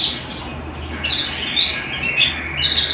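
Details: Short passage of canary song at home: a soft trill, then louder bursts of rapid chirps and sharp rising notes about every half second.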